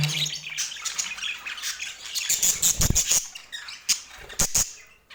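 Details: Pet rainbow budgerigars eating sweet apple indoors; soft continuous chattering warble with scattered sharp high chirps and clicks toward the end.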